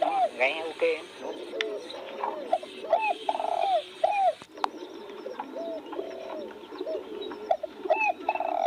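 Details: Spotted dove phrases of short hoots and a drawn-out low coo, repeated three times. There is a sharp click partway through, and chirps of other small birds are scattered throughout.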